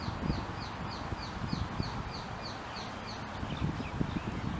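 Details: Chestnut munias, a flock flying into a tree, wild in Hawaii; thin high downslurred call notes repeated rapidly, roughly four per second, over a rustling low-frequency background.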